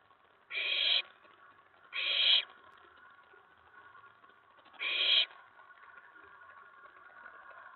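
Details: Excited owlet in a nest box, May 19 2017 around 10:54 PM, when an owl or owlet landed on the tray after a mouse delivery; three harsh hissing bursts, two close together, then a longer gap before the third.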